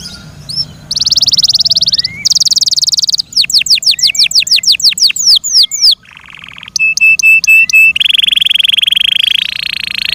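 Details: Caged Yorkshire canary in loud song, switching between dense buzzy trills, series of quick descending whistled sweeps, a short low rattle, clipped repeated notes and a sustained rolling trill.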